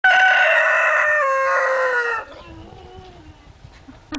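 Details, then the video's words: Brahma rooster crowing in April 2016: one loud, rich, harmonic crow lasting about two seconds, slightly falling at the end, followed by quiet trailing sounds and faint background noise. "Brahma Hahn Frankenstein kräht"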